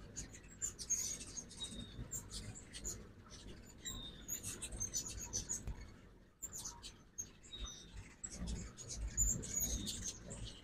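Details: Ruby-throated hummingbirds during fall migration, in a backyard at a feeder in Oxford, Mississippi, in the morning in 2024: rapid, very high, dry chips and squeaky twitters in quick bursts, over a low steady background rumble.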